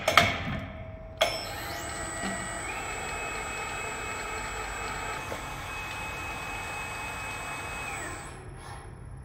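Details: Workshop machinery noise: knocks and a clank, then a steady mechanical hum with a high whine that runs for several seconds and fades near the end. No animal sound is heard.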